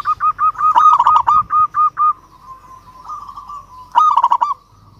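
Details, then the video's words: Local zebra dove calling to a rival, a string of quick, even cooing notes followed by a softer drawn-out coo and a final rapid rolling trill, with faint low hum behind. "Perkutut Lokal GACOR Suara Ampuh MEMANGGIL Lawan Langsung BUNYI Emosi MANGGUNGG"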